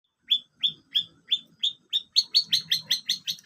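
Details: Long-tailed shrike singing: a run of short, sharp, rising whistled notes repeated roughly every third of a second, quickening into a faster, denser series near the end. Faint low murmuring in the background.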